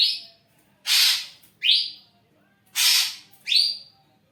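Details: Caged ashy drongo used to draw other birds: rising whistled notes alternate with harsh broad rasping bursts, about five loud elements in four seconds, with a quiet room background.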